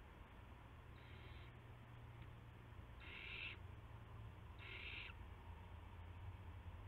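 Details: Owl at a nest shortly after midnight on 19 March 2016, with adults bringing mice and a gopher to the owlets. Three harsh, noisy hisses of roughly half a second each come in a loose series over a constant low hum.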